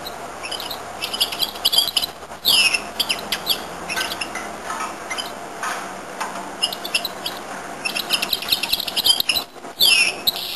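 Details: A goldfinch-canary hybrid sings lively, high-pitched phrases that mix rapid twittering chirps with a few loud, curving whistled notes, repeated in bursts across the recording.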